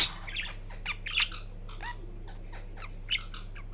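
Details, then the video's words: Green Indian ringneck parrot kept as a pet, dozing and making quiet, thin high chirps and tiny rising slurred notes, mostly soft with a couple of slightly louder squeaks. "Indian Ringneck Parrot Making Different Sounds While Napping"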